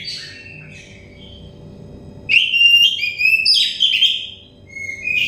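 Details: Oriental magpie-robin singing for a stressed-bird therapy recording: a soft, quiet opening, then a loud run of clear whistled notes and slurs, ending in a rising whistle, with a low hum throughout.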